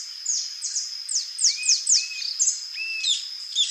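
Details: A rufous-tailed jacamar (Galbula ruficauda) calls: sharp, high, down-slurred notes, about two per second, mixed with short lower whistles, over a steady high insect-like whine.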